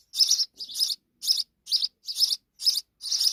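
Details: Sparrow babies in Pakistan begging as their mother brings insects: harsh, high, buzzy chirps repeated about twice a second in a steady series of seven, with no other clear sounds.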